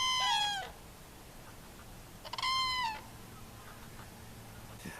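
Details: Common cranes wintering in the Loire valley, central France, from late October: two loud trumpeting calls, each about half a second and sliding slightly downward, roughly two seconds apart over a quiet low hum.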